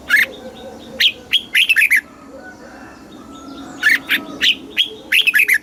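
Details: Southern master-style song of a red-whiskered bulbul meant to stimulate caged birds: a lone chirp, then a quick tumbling phrase of bright warbled notes, repeated in similar form twice more after short silences.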